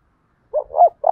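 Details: Lure spotted dove calling in the 'thúc bổi' style, voice called 'thổ đồng': a short coo, a louder rising-falling coo, then the start of a drawn-out purring croo, all low and clean.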